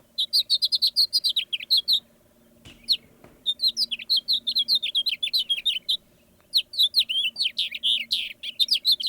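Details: House finch, a common bird of St Joseph and Elkhart counties, Indiana, singing a long, rambling warble of high and low notes with buzzy slurs, in two bursts split by a brief pause, over a faint low hum.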